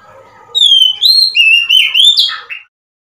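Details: Oriental magpie-robin recorded 3 March 2021 giving one strong phrase of five pure whistled notes that slide up and down, finishing with a short buzzy note before silence.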